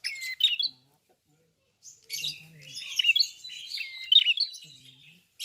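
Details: Red-fronted prinia in full song: a short burst of sharp chirps, a pause of over a second, then a long unbroken stream of high scratchy twitters and thin whistles lasting about three seconds, with a faint low hum.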